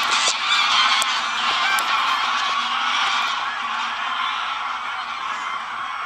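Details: Greylag geese, a wild flock of over 500 with about as many lapwings, taking off together from a field at the WWF Ex-risaia di Bentivoglio oasis near Bologna, Italy, on the afternoon of 21 November 2009. A dense, overlapping chorus of honking calls fades slightly over the recording.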